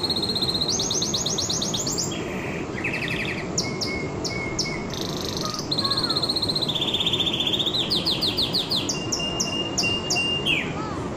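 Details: Canary song: a run of high, fast trilled phrases, each a string of repeated notes, shifting pitch from phrase to phrase with a few thin sustained whistles, over a steady low background rumble.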